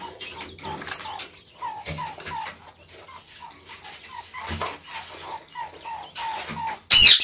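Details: Captive Chinese quails, seven birds including a white albino one, kept together with a Gould's finch. A steady series of about eighteen soft, short, down-slurred piping notes, evenly spaced, ending in a sudden loud rustling burst.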